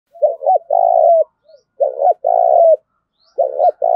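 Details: Decoy spotted dove giving a loud, clear challenge call to rival doves: low hollow coos in phrases of two or three notes, with the last note drawn out, three phrases in four seconds, with little background noise.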